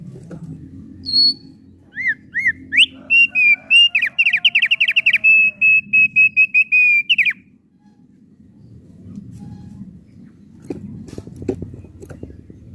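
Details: Melodious song of a thick-billed heleia: a few rising whistled notes, then a long, fast series of clear, evenly pitched whistles lasting about four seconds, ending in a downslur, with low background noise afterward.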